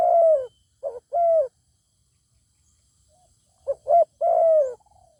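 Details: Zebra dove challenged by a wild bird with a fine voice that won't fight: two coo phrases of short notes and long hums, separated by a quiet gap with a faint distant note.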